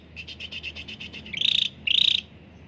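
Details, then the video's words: Caged cucak ranting bulbul song for luring quiet birds: a soft, quickly pulsed series of notes leads into two louder, longer trilled whistles, each about a third of a second. "CUCAK RANTING GACOR SUARA JERNIH UNTUK PANCINGAN YANG SUSAH BUNYI || pancingan Cucak ranting"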